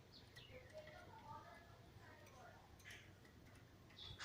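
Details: A black chestnut-bellied seed finch (Trini bullfinch), recorded 15 March 2020, sings a quiet phrase of slurred, sweet whistles stepping downward in pitch over a faint room hum.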